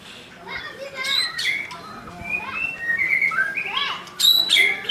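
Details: Young wild white-rumped shama singing loudly, a rapid run of varied whistled notes, slurs and high chips tumbling over one another, with some sharp bright notes near the end.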